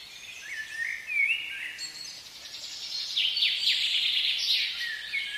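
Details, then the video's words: Common blackbird singing in a spring forest: mellow fluted whistled phrases over the first two seconds, then a denser, higher twittering stretch of quick repeated notes, with a soft steady background hiss throughout. "Blackbird Song"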